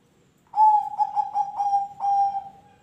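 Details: A captive ringed zebra dove, kept to prompt other birds to sing, gives a run of soft, mellow coos, several quick pulsed coos and then a longer drawn-out one, against a quiet background.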